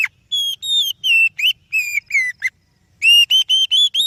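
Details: Oriental magpie-robin song used as a lure to prompt other birds: loud clear whistled phrases, some rising and some falling, repeated in quick bursts with a short pause midway; background otherwise quiet.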